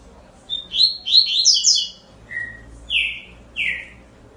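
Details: Double-collared seedeater song opening with a rapid cluster of high chirping notes, followed by separate slurred, falling whistles spaced about half a second apart, with a faint low hum behind.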